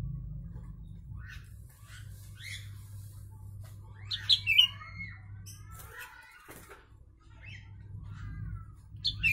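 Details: A sooty-headed bulbul whose song is filled with Javan myna phrases, kept as tutor material for training birds. Scattered chirps build to a loud cluster of sharp, slurred, descending notes midway, with softer calls following over low background hum.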